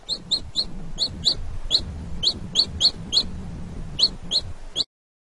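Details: Chicken; peeping; chick calling its mother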